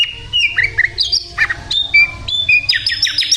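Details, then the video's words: Busy, varied phrases from a sikatan londo flycatcher singing actively: looping slurred whistles, abrupt chips, and a closing run of rapid rising notes, all crowded into a few seconds. "sikatan Londo gacor"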